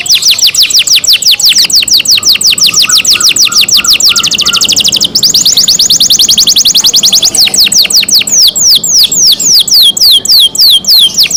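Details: Pet canary singing long rapid trills of falling sweeps, speeding up and slowing down, with a brief faint tonal pulsing in the middle and a short break midway.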